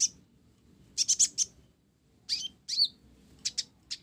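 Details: Olive-backed sunbird, a blorok-type bird singing actively with a sparrow-style song fill: sharp high chirps in quick clusters of three or four, separated by short pauses, over quiet background hiss.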